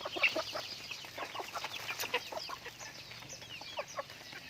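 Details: Pet chickens calling together, loud clipped cluck at the start followed by a busy stream of high curved peeps and short notes from many birds.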